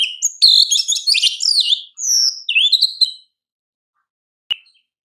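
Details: Oriental magpie-robin (kacer, champion bird) giving a busy tangle of chirps and whistles for about three seconds, ending in a descending slurred note, then silence and one sharp click.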